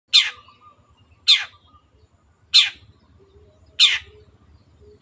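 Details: Long-tailed shrike, locally called cendet, recorded as a master track for other cage birds to copy. Four loud, harsh, downward-sweeping notes come about every 1.2 seconds over a faint low hum.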